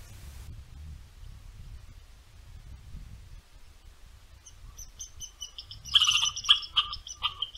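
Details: Western Meadowlark returning to a feeder in boreal Ontario gives "churts": after a near-silent start with a few faint high ticks, a quick run of about eight harsh, clipped, broadband notes bursts out over the final two seconds.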